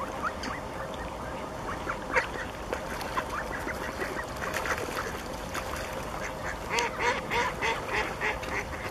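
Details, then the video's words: Wild mallards calling on a lake: a busy, irregular string of nasal calls, several birds overlapping, growing denser toward the end, with constant low background noise beneath. "Кряквы. Звуки природы на озере"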